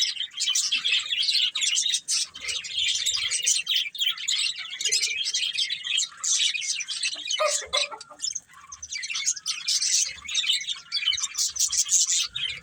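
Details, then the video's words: Colourful budgie breeding pair keeping up a long, nearly unbroken chatter of high chirps, squeaks and scratchy warbles, with occasional brief quieter gaps. "Colourful Budgies Chirping Sounds"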